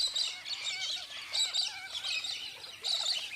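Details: A galah (Eolophus roseicapilla) flock in Australia: several birds screeching in harsh, high, scratchy bursts, overlapping in loose waves about every second, over faint outdoor background hiss.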